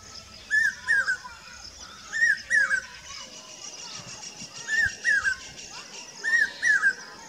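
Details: Common hawk-cuckoo in Rajasthan, India, giving a song of loud, shrill three-note phrases that climb in pitch, repeated every couple of seconds, over a steady hiss of insects and faint chirps.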